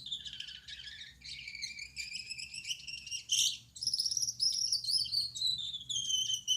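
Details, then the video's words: Night-time song of a male Gouldian finch (yellow back, red head, white chest): high, squeaky, strained notes strung together, a louder sharp burst around three seconds, then smooth rising and falling thin whistles. "Suara Burung Gould Amadin Gacor || Gouldian Finch Singing Gacor"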